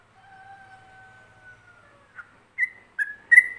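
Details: Yellow-vented bulbul song in the ropelan style, recorded as a master lure for other bulbuls to imitate. Two long, steady, faint whistles come first, followed by a short rising note and three loud, slurred whistled phrases.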